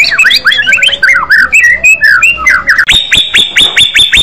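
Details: White-rumped shama singing loudly in an aggressive fighter style: a rapid jumble of varied whistled slurs and chirps, then a run of about six sharp, high, rising whistled notes repeated quickly in a row.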